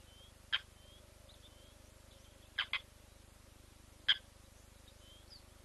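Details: Blacksmith lapwing beside leucistic chicks under a day old, captured on a live camera feed. Loud, hard tink notes arrive singly and in a quick pair among faint high thin whistles, with a low hum underneath.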